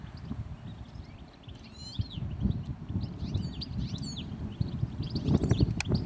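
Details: One goldfinch perched on a wire over the road up to Redmires in the Peak District, UK, giving light tinkling twitters and rapid chirps above a heavy low rumble of outdoor noise.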